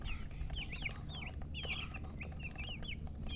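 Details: Chicks chirping: thin descending peeps and short wavering notes, irregularly spaced, partly masked by a loud low-pitched rumble.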